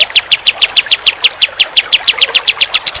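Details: Pied triller singing a rapid, steady series of bright high chirped notes, about six per second, evenly repeated throughout without pause.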